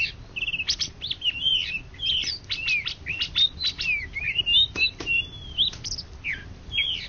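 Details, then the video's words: Greater green leafbird, a national champion songbird of Indonesia from 2013–2014, delivering a rapid, varied song of bright whistled slurs and rising and falling notes mixed with sharp clicks, almost without pause. "Cucak Ijo Juara satu se Indonesia Raya 2013 2014"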